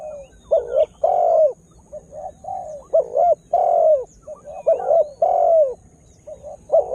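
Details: Lure spotted dove calling to excite wild birds: repeated cycles of a soft low coo, a sharper doubled note and a long hollow falling coo, roughly every one and a half seconds across seven seconds.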